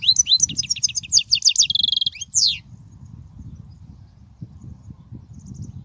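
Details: Goldfinch song used to teach young birds: a burst of high liquid twitters, a short buzzy note and a falling slur, then quiet with only faint low background noise.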